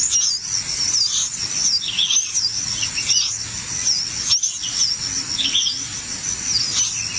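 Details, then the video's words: Nestling birds fussing while being fed in their nest: continuous thin, high squeaky twittering with quick rising and falling chirps throughout, over a steady high insect-like hiss. "Drama di Sarang Anak Burung Rewel Saat Makan"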